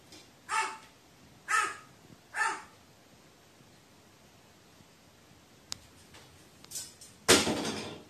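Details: Frightened crow's monologue, 15 May 2018: three loud raspy caws about a second apart, followed by quiet, a few clicks and a burst of broadband noise near the end.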